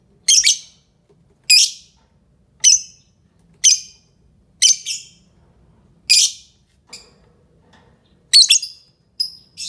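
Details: Lovebird giving a steady series of harsh, high squeaky screeches, roughly one per second, some doubled, a few softer notes near the end.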